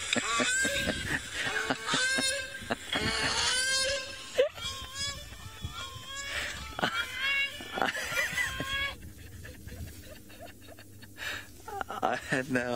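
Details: At sunrise on 8 September 2017 at Djuma Game Reserve, Grey Crowned Cranes give harsh, wailing, trumpet-like honks with rising and falling notes, packed closely and overlapping, then thinning to scattered calls; a voice is faintly heard beneath.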